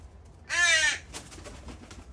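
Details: One harsh, buzzy begging caw lasting about half a second from a juvenile crow, among young crows left by their families at a feeding spot in the morning, followed by soft rustling.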